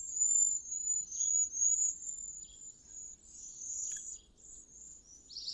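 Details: A flock of cedar waxwings, late spring arrivals gathered in a riverside tree, sing to one another in thin, very high, lisping trills that overlap almost without pause, with soft background hiss.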